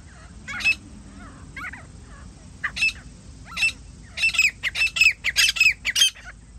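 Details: Grey francolin in a hunting setting: a few scattered, scratchy notes with pauses between them, then a quicker run of sharp, squawking notes that crowds together toward the end.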